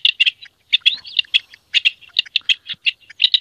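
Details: Rock partridge courtship song in hunting district CN5, Italy: harsh, grating clusters of rapid chirping notes, delivered in quick rhythmic bursts with short pauses between them.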